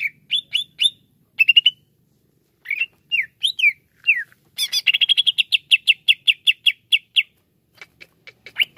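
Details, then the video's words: Greater green leafbird song recorded as therapy for leafbirds that are slow to sing: quick upslurred and downslurred whistled notes, short chirp bursts, then a fast run of repeated sharp chips, with brief pauses between phrases. "TERAPI CUCAK IJO LELET BUNYI"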